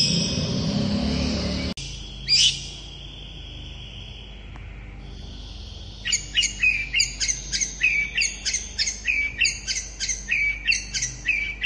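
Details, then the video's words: Long-tailed shrike singing in fast gacor style to provoke answers from other shrikes: a loud broadband noise burst, a single squawk, quiet, then a steady run of short, sharp high chirps. "Cendet gacor speed rapat ampuh untuk memancing cendet lain langsung nyaut"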